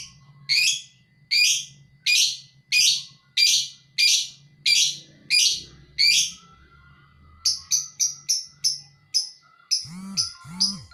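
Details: Lovebird singing in the ngekek chattering style. Ten harsh chirps come at a steady pace, then quicker, thinner ticks follow. Faint low hum and soft whistling sounds are in the background.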